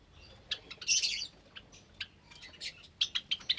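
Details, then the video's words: Java sparrows kept in an aviary cage with newly hatched chicks, Sunday morning, 8 May 2022; a loud burst of sharp high chirps, then quicker short tinkling notes near the end. "Java Finch Aviary | Sunday Morning, May 8th, 2022 | More Chicks From Java Sparrows"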